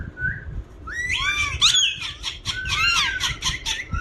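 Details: Indian ringneck parakeet, kept as a talking parrot, opening with a soft whistle and then breaking into rapid, buzzy high-pitched chatter over low background noise.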